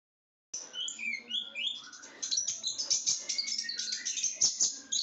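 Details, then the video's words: Small sunbird, locally called ninja bird or konin, blue with black and gold plumage, kept by hobbyists for its song: a dense, shrill, high-pitched stream of twittering notes and quick slurred trills with sharp ticks, gaining intensity after a half-second silence. "suara burung kolibri gacor"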